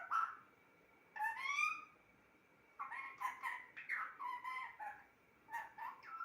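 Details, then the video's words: Talking pet parrot in a room with a short sharp note, then a drawn-out rising wail. After that comes a rapid stream of speech-like babbling syllables that shift in pitch. "Talking parrot"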